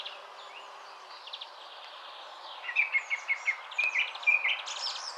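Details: Song thrush near its nest in a spruce, singing in short repeated bursts: faint high notes at first, then a series of louder clipped whistled notes about twice a second.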